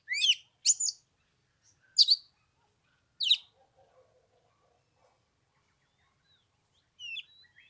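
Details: Oriental magpie-robin on the third day of Lunar New Year, 15 degrees and cold: four sharp, high descending chip-like phrases in the first few seconds, a long quiet gap with faint low murmurs, then one brief whistle.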